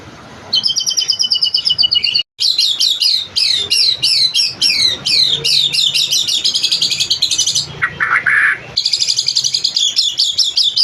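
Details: Long, full-material song from a white-rumped shama: dense, rapidly repeated whistled notes and chattering trills pour out almost without pause. There is a brief break near two seconds and a harsher rasping phrase around eight seconds.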